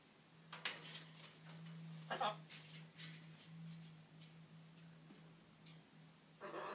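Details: A talking macaw gives a few short, harsh, speech-like bursts with pauses between them while over-dramatizing a stretch, over a steady low electrical hum.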